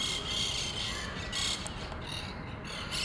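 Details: Monk parakeet colony with communal nest at Pasir Ris Park: harsh, grating screeches in overlapping bursts about once a second, several birds chattering together over a steady background hiss.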